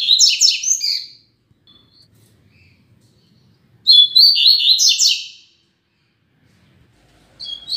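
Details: Pair of kept double-collared seedeaters used as tutor birds for teaching song: two fast, high, rattling bursts of crisp chipping notes, each lasting over a second, separated by near silence, with a third burst starting at the end.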